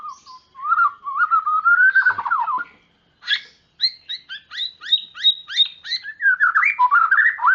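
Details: Gacor-style white-rumped shama song, used to prompt silent birds and train young ones: warbling whistles climbing near mid pitch, then a rapid run of sharp repeated high notes and rich rising, fluty phrases.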